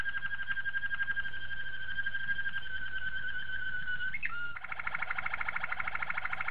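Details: Malinois Waterslager canary singing a training song: a long, level whistled note slowly dipping in pitch, a quick upward flourish, then a dense, fast, bubbling trill of rapidly repeated notes.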